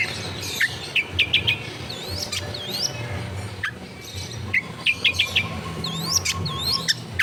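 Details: Long-tailed shrike singing, recorded at home in a crowded neighbourhood as tutor sound for a non-singing shrike: bright chirps and swooping upslurred whistles in short groups, over noticeable background noise.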